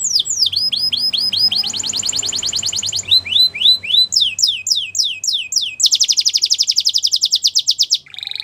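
A Belgian canary sings rapid, high tours: descending whistled sweeps, then a fast buzzy trill of about seven notes per second, changing phrase every second or two.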